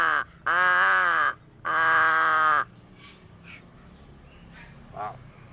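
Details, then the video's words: Crow uttering two long, drawn-out nasal calls, each about a second, rich in harmonics and steady in pitch, followed by quiet with faint background sounds. "SUARA ANEH Burung GAGAK"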